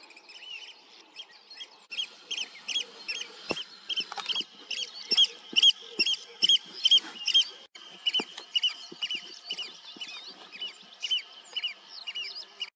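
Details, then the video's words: Eurasian oystercatcher flying over a river on 27 June 2023 gives loud, shrill piping calls heard from afar, a rapid series of over two per second running on steadily over faint background noise. "Полет и голос кулика сороки"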